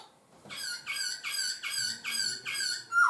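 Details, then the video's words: Laughingthrush song: a series of six harsh rich notes, roughly two per second, ending with a sharp whistle. "chim khướu hót hay đảo giọng"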